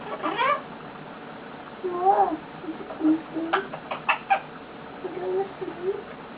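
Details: Pet male eclectus parrot, lying contentedly on its owner indoors, makes a run of short chirps, soft bent whistles and sharp clicks, uneven in rhythm.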